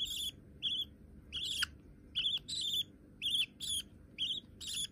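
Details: Young budgerigars, both white and hand-tame, giving loud scratchy chirps with buzzy overtones, about two per second, several drawn out and descending at the end.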